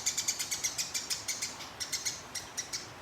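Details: Sparrow singing in fighting style, a training recording for competition birds: an unbroken run of crisp, high chirps repeated about five times a second, then a brief pause and another rolling series.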